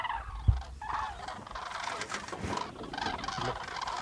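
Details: Flock of common cranes (Grus grus) in Gujarat, India, where they are winter visitors, calling together: rolling, trumpeting, slightly rattling notes overlapping into a steady chorus, with a brief low thump near the start.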